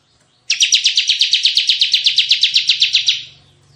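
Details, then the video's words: Energetic tembakan-style song of a Bar-winged prinia, a lure and tutor recording: a single fast, rattling burst of about twenty high buzzy pulses over roughly two and a half seconds, with a faint low hum behind. "suara tembakan CIBLEK GACOR"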